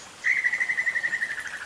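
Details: Great tinamou alarm call after sensing danger, Osa Peninsula, Costa Rica: a tremulous, quavering whistle pulsed about thirteen times a second, sliding slightly lower over a second and a half.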